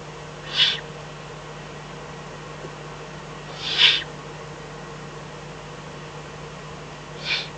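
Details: Eurasian eagle-owl, Eifel, night of 24 May 2014 between 03:40 and 04:18, fox brought as dinner; three harsh, breathy hissing bursts spaced about three seconds apart, steady low hum beneath.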